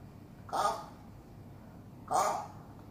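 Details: African grey parrot mimicking human speech: two short, hoarse, voice-like utterances about one and a half seconds apart against a quiet indoor background.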